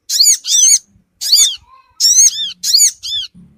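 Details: Sogon bird lure call used to attract and gather small wild birds: loud, high, arched squeaky notes in short bursts of two to three, with pauses between, set against a quiet background.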